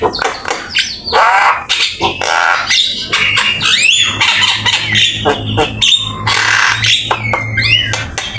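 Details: Javan myna in busy fill-in song, a master recording for training: chattering harsh notes mixed with clear whistled upslurs and a long level whistle, with a soft low hum underneath.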